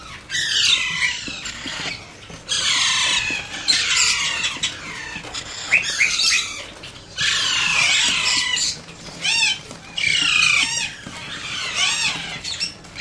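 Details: Alexandrine parakeet chick during hand feeding, giving bouts of intense, raspy, high begging squeals, each lasting one to two seconds, alternating with quieter gaps, bobbing chirps and clicks.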